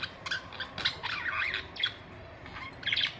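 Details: Several pet budgerigars chattering with scratchy squawks and short whistled notes, in bursts separated by brief pauses.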